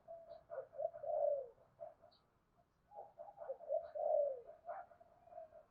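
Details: Spotted dove call meant as a lure to attract doves. Two blurred, mellow cooing phrases each swell to a louder falling note. A steady hiss and low background noise run throughout.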